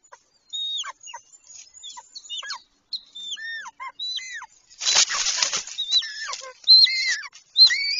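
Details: A golden eagle pair mating on the nest on 26 March 2023, one day before the second egg was laid; repeated clear, hooked, down-slurred yelps, then a loud flurry of wingbeats, with the yelps continuing strongly afterwards.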